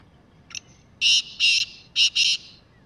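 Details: Wild black francolin roaming freely delivers a soft opening note and then four loud, coarse, buzzing notes arranged as two pairs, recorded clearly with quiet surroundings.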